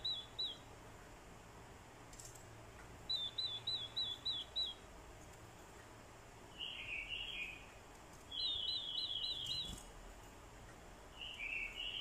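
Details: Orange-headed thrush decoy provoked by female calls into fighting song: short bursts of rapid, evenly spaced high chips repeated several times, broken by brief lower warbling phrases and quiet gaps.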